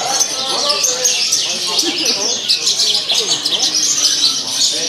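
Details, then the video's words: Javan bush lark in a cage, hung on a contest pole, singing hard with a varied mimicry-rich repertoire; fast high twittering runs fill the clip while people talk in the background. "Branjangan Jawa Gacor Isian Mewah Saat di Gantang"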